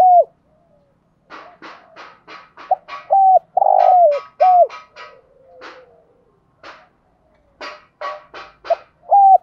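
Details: Caged lure spotted dove calling to draw wild doves. Mellow, falling coo notes come singly and in a longer phrase, mixed with a rapid series of sharp, dry clicking or tapping sounds throughout.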